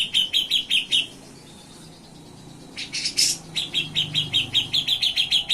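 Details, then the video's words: Cucak jenggot (grey-cheeked bulbul), gacor with nyepik and ngetril trills: quick high chips, a short pause, a harsh rasping burst, then another rapid even run of piercing chips. "CUCAK JENGGOT GACOR BESET NYEPIK NGETRIL"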